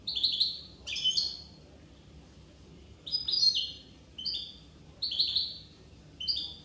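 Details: Goldfinch, Corsican form, delivering repeated short twittering phrases of high, sweet chirps roughly every second, with one longer silent gap midway and a faint background hum.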